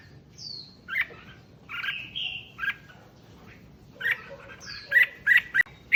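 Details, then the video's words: Red-whiskered bulbul song used to excite other bulbuls: scattered whistles including high descending slurs, ending in a quick burst of sharp chirps. "Tiếng Chim Chào Mào Kích Chim Lên Lửa Nhanh"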